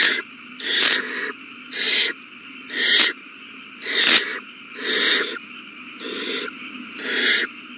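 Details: Owl babies being fed on 27 March 2020 give raspy, hissing begging screeches, each about half a second long, repeated roughly once a second in a steady series.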